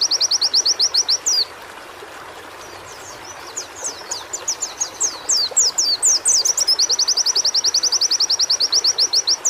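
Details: Rapid high trill of a white-eye used as therapy audio, then a softer stretch of scattered sharp downslurred notes that swell in volume, ending in a long, even, fast run of whistled notes over steady hiss.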